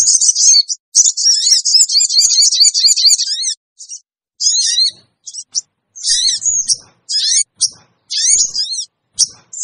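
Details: Sooty-headed bulbul lure sound for attracting wild birds: a long opening run of rapid high chattering notes, then shorter broken bursts of sharp chevron-shaped calls with gaps, all high-pitched and intense.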